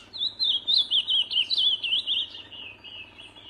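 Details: Wild ultramarine grosbeak in song, a continuous run of rapid, rolling whistled notes that rise and fall, gradually fading toward the end, against a faint low background hum.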